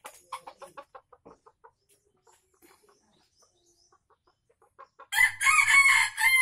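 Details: Junglefowl from Aceh used as a lure for wild birds: a run of soft, evenly spaced clucks fades out, then after a quiet stretch a loud, harsh crow of about a second and a half ends the recording.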